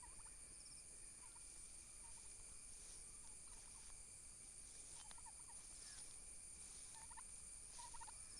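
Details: Domestic turkey toms fighting violently for dominance: faint, short bursts of rapid gobbling notes recur every second or two, low against a steady high-pitched hum and hiss that runs through the whole recording.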